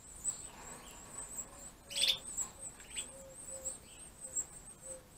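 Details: Gloster canary chicks being fed by their parents, a breeding pair; a thin, very high chittering runs almost nonstop, and a sharp, louder burst of rasping chirps breaks in about two seconds along.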